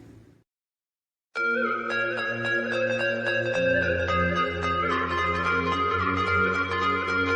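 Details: Plucked string music, zither-like, with sustained bright notes and a low bass drone after a short silence; no animal voice.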